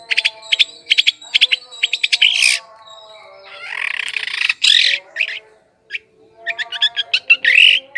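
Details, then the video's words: Long-tailed shrike singing on a lure recording meant to attract wild birds: clipped high notes mixed with rough scratchy bursts and pauses, followed by varied chirps and a final harsh note. "PIKAT CENDET PENTET SUARA PANCINGAN"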